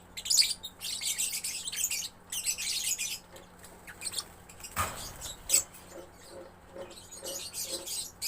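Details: Young lovebird chattering constantly: dense bursts of harsh, hissy, very high twittering that come in clusters with short gaps between them. A lower knock stands out near the middle, and faint low hum runs underneath.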